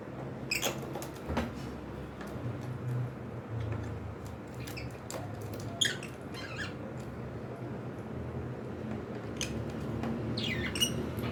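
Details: Pet cockatiels chatter with many short, scratchy chirps and squeaks scattered across the stretch, some in quick pairs, over an ongoing low indoor hum.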